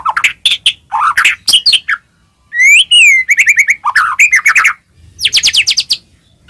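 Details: White-rumped shama song used to trigger other shamas to sing: short sharp chips and slurred notes, a clean rising whistle, stuttered repeated notes, then a closing burst of high rapid notes.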